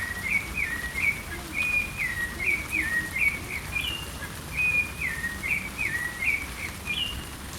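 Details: Thrush (sabiá) singing in the rain: short, clear whistled notes, each slurring down or up, repeated in quick succession with slight variation over steady rain hiss.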